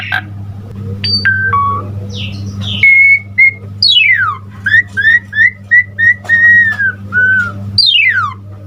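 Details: Asian pied starling (jalak suren) singing a lively full-repertoire song to tutor other starlings: sharp falling sweeps and a rapid series of short whistled notes, over a constant low hum.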